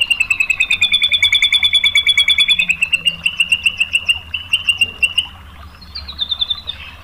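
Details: Lure song of the murai batu (white-rumped shama) in the full 'tembakan' style, aimed at provoking other shamas: a long, even trill of rapid repeated notes, a brief quieter stretch, then a short, high, rising phrase.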